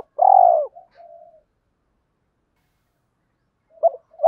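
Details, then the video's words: Spotted dove used to attract wild doves gives one long, rich, falling coo followed by a faint trailing murmur, then silence and two soft short notes at the close. "tiếng cu gáy giọng hợp bổi dùng đi gác chim rất nhanh về cội"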